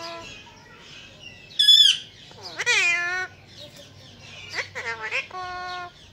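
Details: Pet parrot, described as a ringneck, saying words such as 'Mitthu Bete' and 'Assalam Alaikum': short harmonic squawks and speech-like rising and falling phrases in separate bursts, with faint background music.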